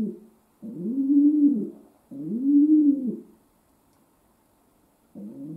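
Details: Pet domestic pigeon in a room: two full, low arched coos back to back, then a pause and the start of another, with a soft, throaty, rolling tone.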